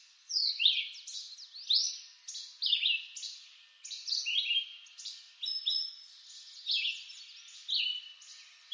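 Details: Red-eyed vireo singing in eastern North American woods: short slurred whistled phrases, rising then falling, delivered roughly once a second with brief pauses, set against a soft steady high hiss.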